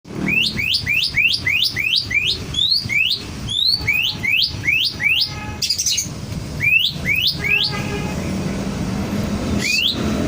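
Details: Oriental magpie-robin with an odd, strange-sounding song: rapid upward-sweeping whistled notes, about three per second, in a long series, then a pause and a few scattered rising notes over a steady low rumble.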